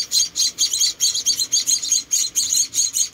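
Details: High, hissy chirps from hand-fed rescued munia babies, repeated quickly in short pulses, several chicks overlapping.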